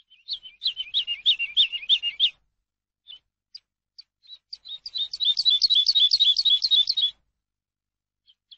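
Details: Eurasian skylark song meant for teaching: a jumbled rapid warble of high chirps, scattered single notes, then a second dense, rippling passage. Quiet otherwise.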